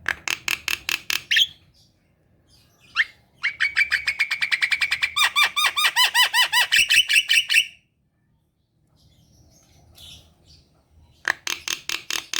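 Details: Kept black-winged myna in full gacor song, used to coax sluggish birds: bursts of rapid metallic chips, then a long train of harsh arched squawks mixed with whistles, a pause, then more chips.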